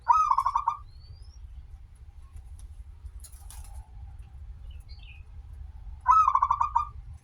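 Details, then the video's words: Local zebra dove singing actively, with a long opening note, used as a lure to make others sing: one trilled coo phrase at the start and another about six seconds later, quiet between apart from a faint rustle. "perkutut lokal gacor suara awal panjang, pancingan perkutut agar bunyi"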